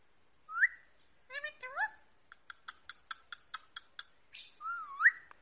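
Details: Pet rose-ringed parakeet, a talking bird, producing a rising slurred whistle, a few short chattering notes, then a quick even series of sharp clicks before ending on another looping rising whistle.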